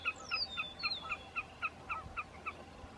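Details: At Roy Johnson Wetlands near Cloverland, Wisconsin, a Wilson's snipe calls for a mate with rapid, evenly spaced, sharp repeated notes, about ten in three seconds, while a meadowlark sings descending whistles behind it.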